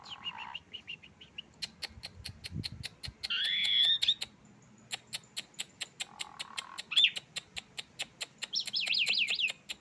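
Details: Tame Asian pied starling singing actively: varied phrases mixing low chattering notes, bright whistled trills and buzzy warbles, over a steady, fast series of sharp clicks.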